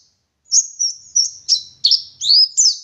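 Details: Oriental white-eye, local West Java bird from Garut, singing: after a short pause, a twittering high phrase of slurred whistles and chirps, some dipping lower then rising again.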